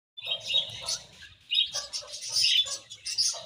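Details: Budgerigars in a colony chirping: dense overlapping chatter of bright warbled notes and squeaky trills in bursts, with short pauses between outbursts and a faint low rumble beneath.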